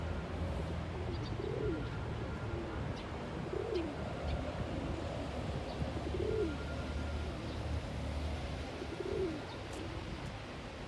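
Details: Pigeon in courtship, puffing its neck feathers and dancing to defend its patch, repeats a low, bowed coo about every two to three seconds, four times, over constant low rumbling outdoor noise.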